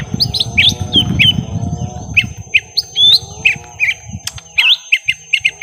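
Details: Young lesser green leafbirds fighting: bent chirps and squeaky notes, a thin steady high whine throughout, and low rumbling noise at the start.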